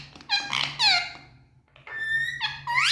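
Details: Speaking Indian ringneck parakeets in a room give harsh squeaky squawks in short bursts, rising at the close, over a low steady indoor hum.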